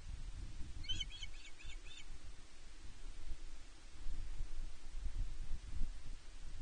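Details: Female osprey demanding fish from her mate at Loch Arkaig Nest One on 31 May 2023, nest camera: a short burst of five quick, high, squeaky notes early on, then only gusty wind rumble.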